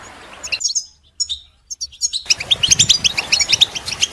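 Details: Goldfinch chirps begin with scattered high notes and a near-silent gap, then turn into a steady, fast series of sharp tinkling twitters, with a faint low rumble underneath.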